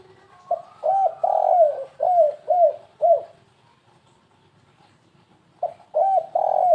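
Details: Spotted dove lure call in the 'kuk3 gagap' stuttering style, used to attract birds: a short low coo, a hooked coo, a long sliding coo, then three arched coos. The phrase stops and restarts after a two-second pause.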